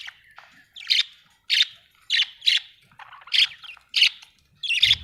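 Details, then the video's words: Budgie from Australia repeating scratchy, squawky chirps about every half second, eight or so notes in a steady chattering series, ending with a brief low thump. "budgie chirping sound"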